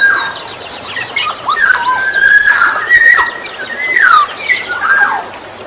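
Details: Black-naped oriole (kepodang emas) singing, played to lure other orioles: fluid whistled slurred notes, some rising and falling, mixed with harsher squealing strokes, continuous through the clip.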